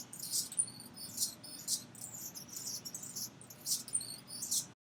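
Anna's hummingbird giving thin, very high, scratchy chirps in short bursts, a few each second at an uneven pace, over a faint low hum.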